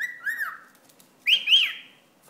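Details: A pet cockatiel, annoyed by a wad of paper towel, gives two bursts of shrill, whistled calls, the second pair higher and harsher.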